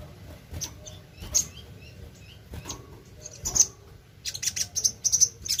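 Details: Sogon (little spiderhunter) lure song: a few scattered high chirps over low background hiss, then a quick run of sharp, piercing notes repeated several times per second in the final seconds.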